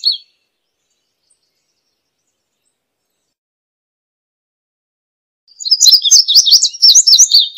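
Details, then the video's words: A high, rapid indigo bunting song of doubled, sweeping notes bursts in after a long quiet stretch, lasting about two seconds. "Indigo Bunting Song"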